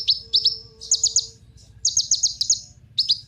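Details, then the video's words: Kolibri ninja sunbird song, used as a lure to get other birds singing: bursts of high, thin, quickly repeated chirps in short clusters of two to five notes, separated by brief pauses, over a faint low hum. "Kolibri Ninja Pancingan Penggacor Burung"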